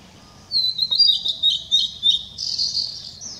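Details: Blue-and-white flycatcher singing on 7 May 2016: after half a second of quiet, a high, clear warbled phrase of rapid whistled notes, ending in a buzzier, sustained high flourish, over faint low background hum.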